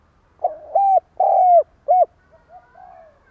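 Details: Short burst of the 'cà lăm' stutter coo from a decoy spotted dove: a halting lead-in, two loud hollow coos and one brief coo, then a few faint soft coos trailing off.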